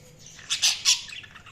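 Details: Budgerigar giving three quick sharp chirps in under half a second, bright and scratchy, against a faint low hum.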